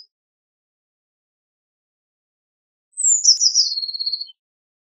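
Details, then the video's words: Eurasian blue tit song: a single high phrase opening with thin descending notes, then a fast sweeping trill that drops and levels out, lasting about a second and a half, in silence. "Blue Tit Singing! Blue Tit Calling! Blue Tit Sound! - Herrerillo Común Canto - Cyanistes Caeruleus"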